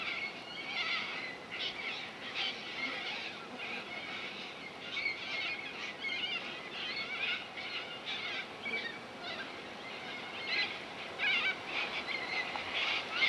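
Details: Distant corella flock at a lagoon on Coopers Creek near Innamincka, South Australia; a long unbroken babble of scratchy screeches and squawks, the intensity swelling and easing in waves.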